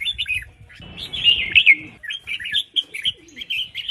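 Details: Red-whiskered bulbul hen calling to stir males to sing, a steady stream of quick, sweet chirping notes with a louder slurred warble in the middle and faint low noise.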